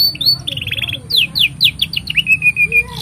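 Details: Canary master song for young birds: a buzzy trill followed by a run of quick descending whistled sweeps, then a series of short level whistles, low hum throughout.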